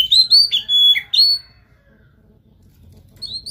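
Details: Oriental magpie-robin song meant to set another magpie-robin singing: a short burst of clear, bright whistles with rising slurs lasting about a second and a half, then silence and a faint whistle at the end.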